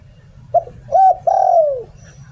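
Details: One three-part phrase from a spotted dove decoy bird in the 'liu tan' song style. A clipped low coo leads into a smooth arched note and a drawn-out hoot that slides downward, with a faint low hum behind it.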